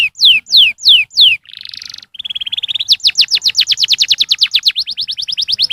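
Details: Canary song intended to get young canaries singing: four descending whistles, a buzzy trill, a steady rising buzz, then a long fast tour of rapid down-slurred notes.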